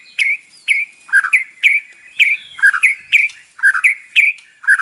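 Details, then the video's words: White-rumped shama, a caged bird singing in the morning to provoke others: clear whistled notes repeated about twice a second, alternating slightly higher and lower, steady and rhythmic. "PANCINGAN pagi hari EFEKTIF bikin Gacor dengan suara murai batu isian"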